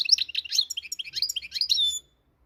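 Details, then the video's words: European goldfinch, known as the Moroccan goldfinch, delivering a dense, tinkling warble of quick varied chirps and buzzy twitters. It ends in a sustained high whistled note, then silence. "صوت الحسون المغربي"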